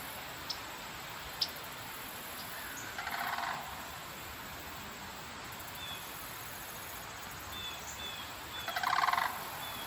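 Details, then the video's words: Sandhill Cranes, a pair calling near London, Ontario, Canada, on the afternoon of October 6, 2024. Two short, rattling, trumpeting bouts rise from steady background noise, with faint higher chirps from other birds between them. "A pair of Sandhill Cranes making noise."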